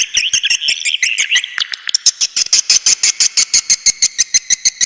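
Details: Swiftlets in a lure call: warbling twitters over fast clicks, then a steady metronome-like run of sharp, ringing buzzy pulses, nearly three each second.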